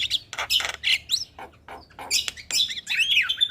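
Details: Javan myna lure sound for stressed birds that have stopped singing: loud rasping squawks and short whistled phrases in quick succession.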